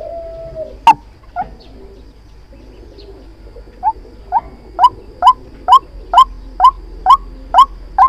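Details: Trapping lure of a white-breasted waterhen: after a few scattered notes, a steady series of short, rising, nasal calls begins and speeds up to about two per second, over a constant low hum.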